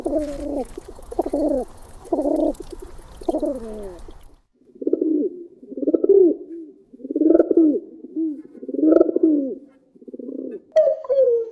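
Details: Pigeons giving their group call: deep, muffled, rhythmic rolling coos. Each coo is a low warbling phrase repeated about once a second. The coos are four loud ones, then after a short gap a softer, steadier run of five.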